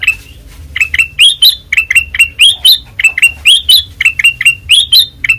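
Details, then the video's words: White-eyed kutilang emas giving ngeplong song: brisk, sharp chirps alternating with higher rising whistled slurs, delivered in uneven bursts with almost no background noise. "Suara Asli Ngeplong Kutilang Emas Mata Putih Gacor Dor"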